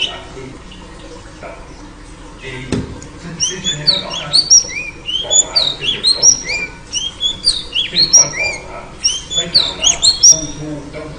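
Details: Female oriental magpie-robin luring a male. Near quiet for the first three seconds, then a lively run of high chirps and slurred whistles that keeps going to the end.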